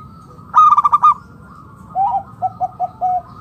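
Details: Local zebra dove, caught in the wild, calling to draw other doves out: one loud harsh buzzy rattle, then a rising coo followed by four short evenly spaced coos.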